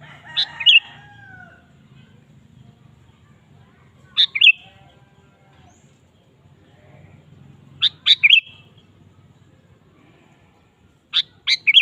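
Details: Sooty-headed bulbul in lively song, used as a lure recording: four short phrases about every three to four seconds, each a quick run of bright, clipped chirps, over a faint low hum.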